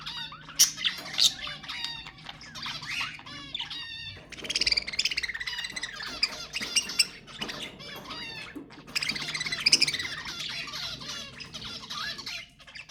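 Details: Budgerigar calls for encouraging breeding: long stretches of rapid, buzzy warbling mixed with squawks and rising chirps. There is a brief lull after about four seconds, then the dense chatter resumes.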